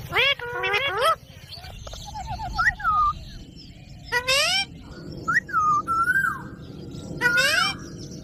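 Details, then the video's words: Green pet parrot giving a mix of harmonic squawks and clear whistled notes, some wavering and descending, in separated bursts over a low background hum. "Parrot Talking video"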